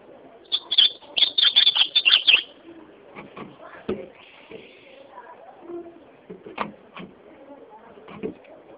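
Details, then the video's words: Ultramarine grosbeak song: a quick string of bright whistled notes for nearly two seconds, followed by scattered clicks, taps and faint indoor sounds. "azulão cantando"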